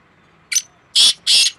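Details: Two black francolins in a calling contest, May 2024: a brief scratchy note followed by two loud, rasping, buzzy bursts in quick succession.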